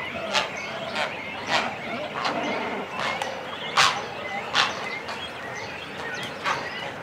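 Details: Close recording of a cormorant colony with chicks and adults on the nest: loud, harsh bursts about every second over a steady background of croaking and chattering colony noise.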